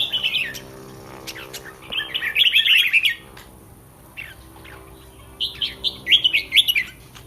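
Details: Caged red-whiskered bulbul singing before a contest: rapid bursts of rich, fluty warbled notes, a pause with scattered clicks, then another lively whistled phrase, over a faint steady hum.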